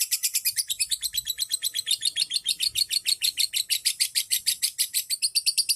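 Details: Lovebird in a long ngekek trill, a lure for other birds: high, rapid, evenly pulsing notes repeated without pause, strong and steady from start to finish.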